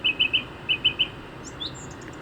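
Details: Song thrush (Turdus philomelos) in early spring in rural Hampshire, England, sings a short clear note three times quickly, repeats that triple phrase, then gives a few thin, higher whistles.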